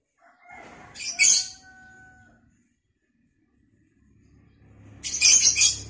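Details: A lovebird in vocal training gives two sharp, harsh screeches about four seconds apart. Faint steady whistled tones sound near the first screech, and there is a low background hum.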